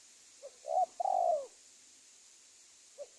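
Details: Spotted dove call used as a lure to trap wild doves: a short low coo followed by a longer, slightly falling cooing phrase, with a faint coo at the edges and steady high hiss behind.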